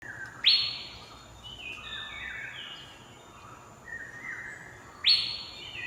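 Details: Asian fairy-bluebird calling: two loud, sharp notes that shoot up steeply and fall away, about four and a half seconds apart. Softer, steady whistled tones from other birds sound between them.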